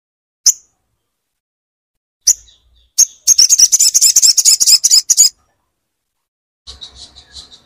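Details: Crimson sunbird song played to a silent bird to make it sing: three sharp high tsips, then a two-second rapid buzzy trill, a pause, and softer chattering notes at the close.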